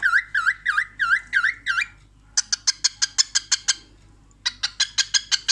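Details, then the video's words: Laughing cockatiel at a mirror: six bouncing, V-shaped whistled notes in quick succession, then two long trains of sharp, buzzy clicks roughly five per second. "Cockatiel bird watch her in mirror and funny laugh"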